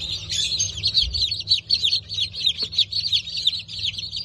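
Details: Brahma and Wyandotte chicks, freshly hatched on 19.10.2024, many peeping together: rapid, shrill downslurred cheeps repeated several times a second, one brief thump midway, and a constant low droning hum behind them.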